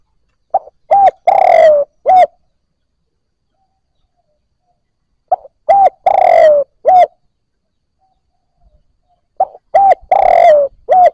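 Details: Three well-spaced spotted dove phrases, used to get newly caught birds cooing: each starts with a brief note and coo, swells into a long rolling coo slipping lower, and ends on a short coo; otherwise quiet.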